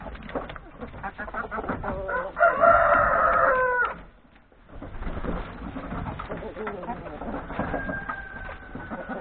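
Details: Yard flock of hens and three roosters at breakfast before going to forest grazing: steady clucking chatter, then a loud, harmonic rooster crow of about one and a half seconds, a brief hush, and clucking resuming.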